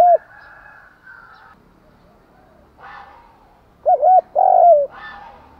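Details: Spotted dove lure cooing in the morning to provoke wild birds. Near the end it gives a quick double coo and a long rolling descending coo. Other, higher bird notes and faint chatter fill the quieter stretches.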